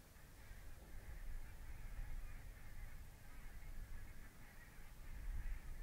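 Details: Svalbard-breeding barnacle geese wintering in Dumfries and Galloway at Mersehead RSPB Reserve, November 2011: a thick, unbroken wash of many yapping calls from a big flock, over steady low-pitched wind noise.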